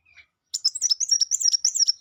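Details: After a faint chirp, a sangkrut bird launches into a continuous fast stream of high twittering notes, tightly packed, shrill and slightly metallic, running on without a break.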